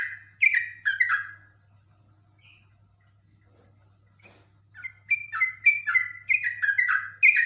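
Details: Yellow-vented bulbul (trucuk) in a highly agitated state, singing long ngekek runs. A short cluster of rich slurred notes is followed by three seconds of near-quiet, then a fast, rising-and-falling chatter to the end over a soft low hum.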